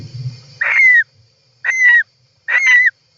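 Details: European roller nest, recorded by an inside camera on July 18, 2024: three rasping calls, each with a bending whistled note, spaced roughly a second apart, after faint low rustling at the start.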